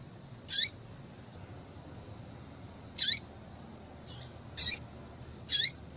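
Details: Female papa-capim (double-collared seedeater) call for stirring up males: loud, short, falling high chirps repeated roughly every two to three seconds, plus one softer, muffled note and a quick double chirp between.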